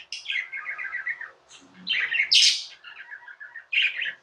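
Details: A pet budgie chatters a string of quick, even chirps, then a loud bright squeak and softer gargling notes, with a fresh burst of chirps at the end.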